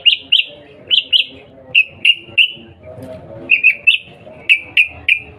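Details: Sooty-headed bulbul calls used to provoke a reply: short high chirps in pairs and triplets, some rising, repeated with brief pauses and faint low background murmur.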